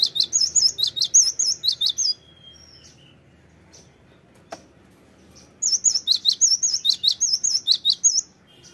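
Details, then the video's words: Cinereous tit lure recording meant to prompt birds to answer quickly with steady singing: two bursts of rapid, high, sharp two-note phrases repeated about once per second, separated by a quiet gap broken by a single click. "PANCINGAN GELATIK BATU CEPAT NYAUT BUNYI GACOR TERUS"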